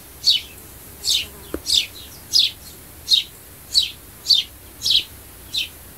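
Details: Sparrow calls used to attract birds: short, bright chirps descending in pitch, repeated roughly every two-thirds of a second, nine in a row, with one faint low tap midway.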